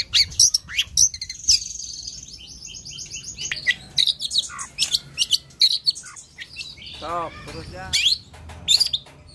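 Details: Long-tailed shrike (local names cendet, toed) in lively song: high chattering and whistled phrases, with a lower, grating, harmonic rasp partway through, then more high chatter.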